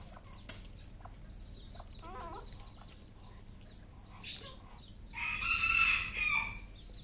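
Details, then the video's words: Red junglefowl crowing on a farm in Cambodia: after quieter chirps and a brief rattle, a long, raucous, drawn-out crow of about a second and a half comes in strongly toward the end. "red junglefowl farm Cambodia"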